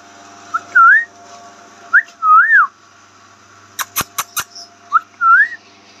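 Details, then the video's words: A green rose-ringed (ringneck) talking parakeet whistles three clear phrases, each a short pip and then a rising-falling slur, about every two seconds, with a quick run of sharp clicks between them. "Green ringneck talking parrot"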